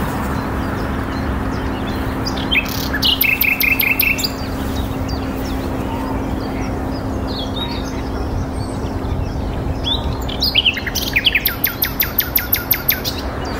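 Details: A nightingale singing from a tree in spring near Theale, Reading, gives short bursts of rapid, repeated notes, with pauses between phrases, over a low steady hum.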